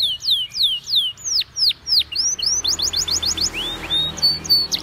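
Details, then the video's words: Singing Belgian canary for training: looping descending whistles, then a brisk series of short notes and higher buzzy tours. "The Best Belgian Canary Sound For Training!!!"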